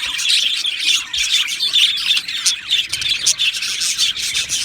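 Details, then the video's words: Aviary colony of Australian budgies on 12 July 2025, chirping and warbling together in rapid overlapping high notes, with brief louder bursts roughly once a second. "Australian Budgie Chirping Sounds"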